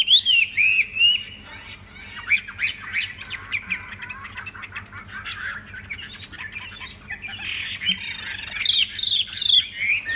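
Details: Tame Chinese hwamei singing: loud, fast runs of looping, slurred whistled notes open and close the phrase, with a busier stretch of harsher chattering and squeaky notes in between, over a faint steady low hum.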